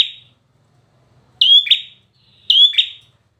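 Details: Two loud phrases from a bar-winged prinia, each a strong whistled note sliding down into a second buzzy chip, about a second apart.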